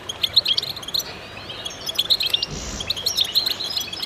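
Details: Goldfinch chorus of rapid, tinkling chirps and short trills from many birds, pausing briefly before a soft rushing burst of noise, then the twittering resumes densely.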